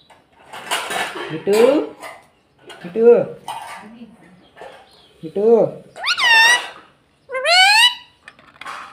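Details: Pet green ringneck parrot talking indoors, repeating short speech-like phrases such as "mummy" and "mitthu", with rising harmonic syllables in bursts separated by brief pauses, human voice mixed in.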